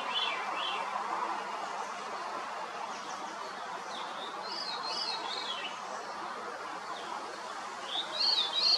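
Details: A Veery delivers its breezy, descending, swirling song phrases, each made of overlapping rolling notes, spaced a few seconds apart against faint constant background noise.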